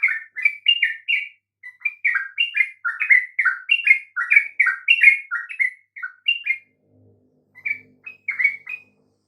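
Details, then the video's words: A sooty-headed bulbul sings, used to coax listless or halting birds of its kind into song. Quick liquid whistled notes rise and fall in chattering phrases for about six seconds, then pause with a faint low thump before a few more notes. "coba Pancing dengan kicau TRUCUK ini agar NGEPLONG"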